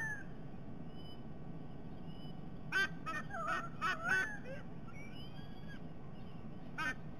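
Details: At a nest camera in Sydney Olympic Park, Australia, on 22 October 2021, two White-bellied sea eagles share breakfast. A cluster of harsh, modulated yelping calls comes in quick succession mid-recording, with a fainter upslurred whistle after and one more yelp near the end.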